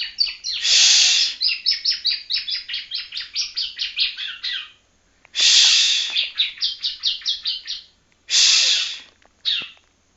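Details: A young yellow-bellied prinia from Palembang learns its song. A loud buzzy burst leads into a long, fast run of repeated high chirps. The pattern repeats, followed by another buzz and a brief chirp.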